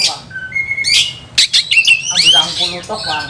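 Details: Agitated, heated Oriental magpie-robin singing vigorously as it looks for a fighting rival. Thin steady whistles step upward, broken by sharp clicks, then a busy run of slurred, rising whistled notes.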